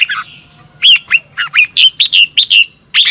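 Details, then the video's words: Caged red-whiskered bulbul singing in the morning, used as a training song for other birds: a quick run of loud, slurred whistled notes, each swooping down then up, delivered in rapid succession. "Luyện chào mào hót sáng 2022 - Hót hay nhanh căng lửa"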